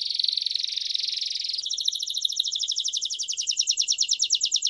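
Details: Timbrado canary song used for training young birds: a dense rolling trill, shifting after about a second and a half into a faster, higher pulsed trill, clean with no other sounds.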